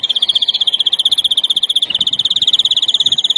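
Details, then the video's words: Larguero-type song of a European greenfinch, 2021 teaching recording: a rolling high trill that briefly rises at the start, wavers near the middle, then continues evenly to the end. "verderon larguero"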